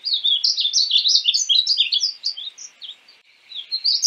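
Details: Painted bunting delivering a rapid, tinkling warble of high slurred notes for over two seconds, fading, then starting another softer phrase.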